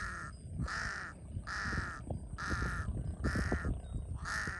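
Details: Large-billed crow in Cambodia, a common bird around waterside areas, calling a series of five rough, nasal caws at about one per second, with low background rumble.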